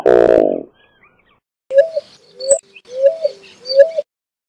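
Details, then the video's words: Eared dove song: after a brief unrelated tone, four soft low rising coos spaced about two-thirds of a second apart, each swelling then ending abruptly, in a quiet setting. "Paloma Torcaza Canto - Eared Dove Bird Song"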